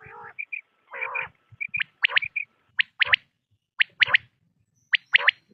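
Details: Quail calls for hunting: a few softer nasal notes at the start, then sharp, liquid, high notes in quick groups of two or three, repeated about once a second.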